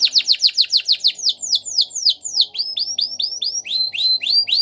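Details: Belgian canary singing for canary training: a long, steady series of clear, falling whistled notes, about four per second, the later notes slower and more rounded.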